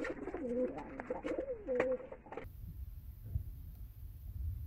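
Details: Pigeons in a loft in Bangladesh at feeding time: soft, low rolling coos repeated for about two seconds, overlapping and wavering, followed by an abrupt cut to a quiet, dull room hum.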